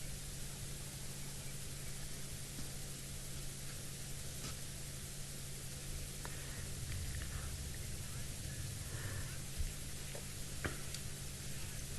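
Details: Steady broadband hiss with a low engine-like hum and a few faint clicks, with no animal calls.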